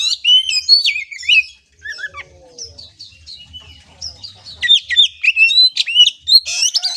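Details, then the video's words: Oriental magpie-robin, trotolan (young) cage bird, played to train its mentality; fast chattering whistled phrases with swooping notes, a pause of softer scattered notes, then a loud dense run of rising and falling whistles. "Melatih mental kacer TROTOLAN dengan suara ini"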